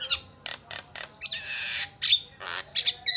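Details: Javan myna filler-song master: short rasping bursts, a long hissing wheeze, then a bright whistle and further harsh, broadband squawks close together.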